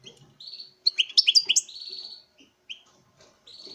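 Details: A male European goldfinch (Carduelis carduelis) in a breeding setting sings in display to a female: a quick, bright tumble of liquid twitters and tinkling high notes, pausing briefly before starting again.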